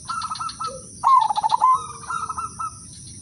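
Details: Udanmas silver zebra dove, a lure singer for prompting other doves to sing, delivers one loud rapid pulsed phrase lasting under a second, framed by quieter trilling doves before and after and a steady high-pitched hum.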